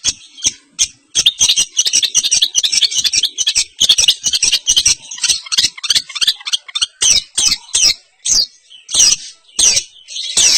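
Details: Dense, rattling chatter from a long-tailed shrike in East Javanese champion style. High scratchy notes pour out almost continuously, then break into separate sharp chirps toward the end.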